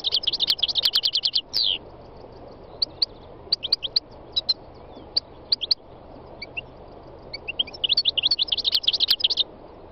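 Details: A wild European goldfinch sings bright, tinkling bursts of rapid high twitters and buzzy trills, broken by scattered single chirps, against a quiet background.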